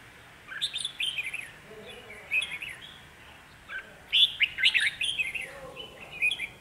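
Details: Caged decoy red-whiskered bulbul singing to draw wild birds toward a trap, giving bright, jumbled warbling phrases with short upward and downward slurs, separated by brief pauses, with faint background calls.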